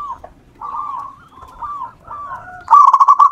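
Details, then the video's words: Local wild-type zebra dove (perkutut) in vigorous song, used as a lure for other doves: soft, quiet coos at first, then a loud burst of fast, staccato rolled notes at the end. "perkutut lokal alam. Gacor Ampuh buat pancingan"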